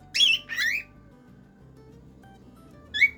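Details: Indoor song of a pet cockatiel: two loud, harmonic whistled notes close together, a pause of about two seconds, then a single brief whistle. Low background music plays throughout.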